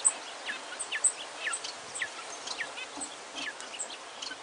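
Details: A pair of cinnamon-mutation King quail with four newly hatched cinnamon chicks gives faint, thin high peeps and short chirps, scattered irregularly several times a second over a soft hiss of background noise.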